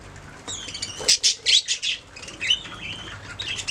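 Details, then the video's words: Budgerigars chirping, a quick run of loud harsh pulsed squawks in the middle, framed by softer thin whistles and twittering warbles. "Budgies singing making sounds chirping"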